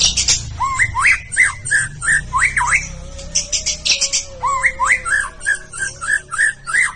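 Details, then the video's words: White-rumped shama from Bahorok, a singing-competition bird that reached the President Cup, delivering quick repeated looping whistles and chattering notes, with a steady low background hum and another faint tone underneath. "Murai bahorok tembus ke presiden cup"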